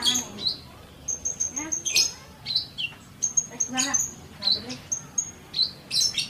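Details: Sunbird song in a tutor recording for fast singing: bright, high chirps and short whistled notes in quick clusters, some sliding downward, with brief gaps between bursts.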